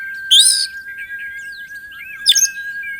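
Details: Oriental magpie-robin (kacer) song for bird training: two loud harsh, rich bursts separated by softer warbled notes, over a steady electronic hum.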